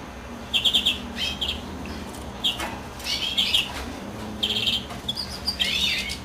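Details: Greenfinch song during the female's incubation, heard fairly quietly: short rapid trills in spaced bursts with brief twitters between them.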